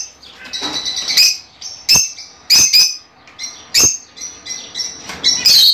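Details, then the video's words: Fischer's lovebirds chirping to encourage breeding; sharp piercing calls every second or so over a bed of fainter high twittering. "تغريد وتحفيز لتزاوج عصافير الفيشر"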